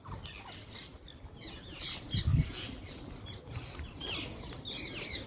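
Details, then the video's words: Wild green parrots being fed, giving a busy overlapping chatter of short high squeaky chirps and rasping notes, with dull thumps and a brief louder flutter midway. "Wild Green Parrots Making Beautiful Noises"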